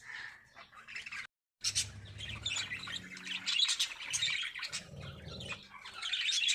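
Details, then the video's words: Lovebirds kept for breeding, singing in a busy chorus of sharp, high chirps and buzzy twitters that run almost without pause, cut by a brief silent gap near the start. "Love Birds Singing"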